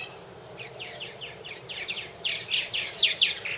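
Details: At one of three purple martin nest houses in 2014, a series of downslurred chirps grows louder and faster into bubbly gurgling from several birds.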